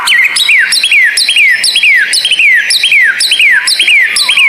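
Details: White-rumped shama tutor song for therapy of lazy captive birds, with an odd, rare style: rapid, regular series of sharp descending whistled slurs, about two per second, each starting with a high click-like note.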